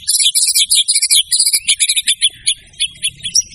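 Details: Champion white-rumped shama singing its full repertoire, used as a training recording for caged songbirds: rapid, varied, high chirps and twittering phrases tumbling over each other with hardly a pause.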